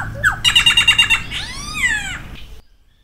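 A Solitary cacique gives a quick burst of about seven harsh, ringing notes, then a long, rich, arching whistle that slurs upward and falls away.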